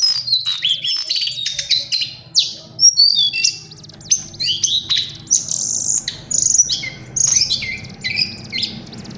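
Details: A lesser shortwing sings in bursts of high whistled phrases with sharp slurred notes. Short gaps separate the bursts, and a faint low hum runs in the background.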